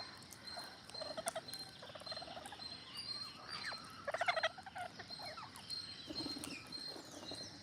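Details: Green parrots, growing in number, giving a few harsh, nasal squawks in short bursts, loudest near the middle, over a steady high-pitched background whine and faint outdoor noise.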